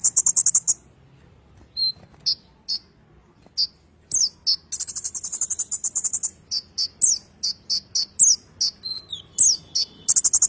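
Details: Kolibri ninja singing its rolling ngerol song, a master recording for magpie-robin training: brief high trills and scattered thin chips, then an almost continuous run of quick high twitters, sharp notes and downslurred squeaks.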